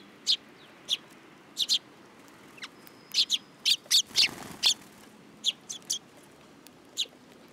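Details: Sparrows coming to perch on a person's hand at a Tenmangu shrine, 8 July 2022: sharp, high chirps in single and paired bursts, spaced irregularly over several seconds, against a quiet background.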